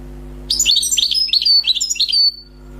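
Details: A newly trapped wild European goldfinch sings nearly two seconds of repeated bright chirping notes in quick rhythmic groups, with drawn-out whistled tails, over a low constant hum.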